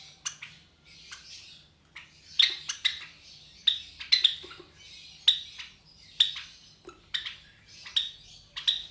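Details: Java sparrow chicks around 23 days old, three hatched from four eggs of a captive white pair, utter sharp, high squeaky chirps in quick runs, roughly one to three each second, mixed with faint scratching sounds.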